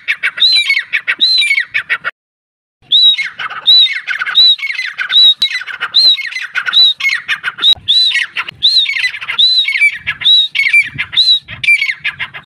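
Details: Grey francolin giving a long run of loud harsh calls, whistled high notes mixed with rasping chatter, repeated about every second, with a brief silent gap.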